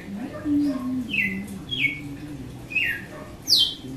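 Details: Red-cowled cardinal giving açoite-style song: a handful of brief falling whistles, the last one higher and brighter, with a low droning hum running underneath.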